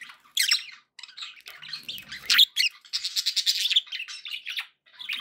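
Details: Pet budgerigars in a cheerful mood, sharp squawks and buzzy chirps in quick runs, with a string of rapid ticking notes toward the end and short silent gaps.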